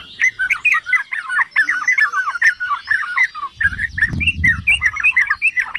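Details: Yellow-vented bulbul, the trucukan, delivering a provoking song to rouse other bulbuls: a continuous stream of quick, gurgling, up-and-down notes, with a low rumbling noise swelling midway through.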